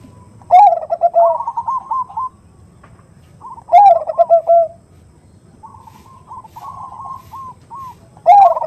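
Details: Perkutut (zebra dove) female calling for a male with the 'nutut' sound, a lure for perkutut. Three loud coo phrases, each trailing into quick trilled notes, are separated by quieter rolling, stuttered cooing.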